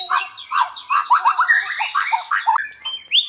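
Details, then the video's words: Varied warbling from a gacor white-rumped shama: quick downslurred whistles and chattering phrases, ending with a rising clear whistle. "SUARA OCEHAN BURUNG MURAI BATU GACOR UNTUK MASTERAN MURAI"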